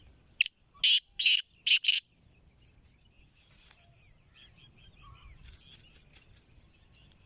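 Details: Kala teetar, black francolin, giving a call of four grating, rasping notes in quick succession, followed by a long steady high whine, faint chirps and distant rumble.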